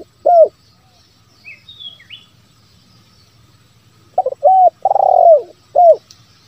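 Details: Lure call of a spotted dove for prompting wild doves to call: a single short coo, a quiet gap with faint distant chirps, then a phrase of clipped hoots ending in a drawn-out descending coo.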